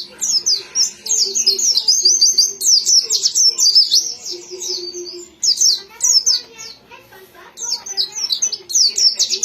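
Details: Extended white-eye song of quick, high, bright chirps strung into energetic runs, pausing briefly around the middle before more rapid twittering, faint low hum behind.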